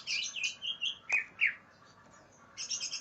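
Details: Greater green leafbird in an aggressive temper, searching for a rival: loud rolling whistles slur downward in quick succession, then a short lull before a thin, rapid, high twittering run.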